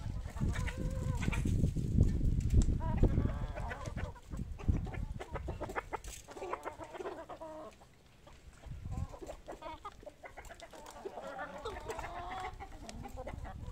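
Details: Several chickens at feeding time, a happy moment for the farm's poultry: dense low clucking and scratching noise, a lull midway, then rising chatter with higher, wavering calls in the last seconds.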